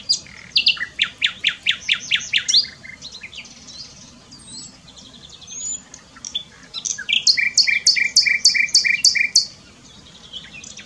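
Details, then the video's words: Common nightingale in song, Dohr, Eifel, Germany: a fast series of repeated notes, a quieter interlude of softer phrases, then a second loud run over a lower pulsing trill. "Nightingale singing. Nachtigall singt."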